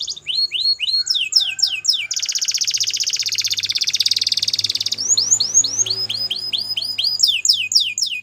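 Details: Singing white canary of the Belgian breed: rapid falling sweeps, then a long fast rattling trill held for about three seconds, then more quick descending notes.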